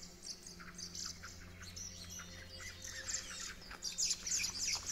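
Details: Hawfinches at a feeder set up at a forest edge give sharp, high ticking calls, several a second and overlapping from more than one bird, over a faint low hum.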